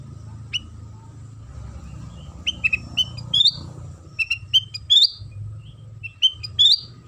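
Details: Sooty-headed bulbul singing as a lure to draw song from other bulbuls: scattered whistles, then lively groups of rising, chirpy notes, over a low rumbling background and a steady hum.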